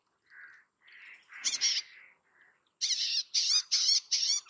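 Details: Bay-backed shrike singing. Soft, low whistled notes lead into a harsh grating burst, then a rapid series of five loud, buzzy, rasping notes in quick succession.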